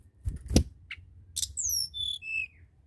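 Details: Energetic tledekan gunung song meant to prompt lazy birds to sing: a few dull knocks, then a run of clear whistles sliding downward step by step, each lower than the last, with faint background rumble.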